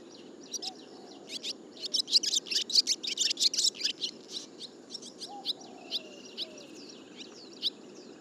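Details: Barn swallow song: a fast run of high, chattering twitters that grows dense and loud around the second to fourth seconds, then thins into scattered chirps and short squeaky notes, with a faint lower tone at times.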